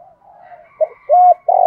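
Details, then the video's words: Decoy spotted dove in 'giọng thổ' style calling wild doves. Over faint bird chatter come a short note and a smooth level coo, then the start of a rough buzzy coo that is cut off. "Cu gáy giọng THỔ kích mồi gọi bổi hiệu quả"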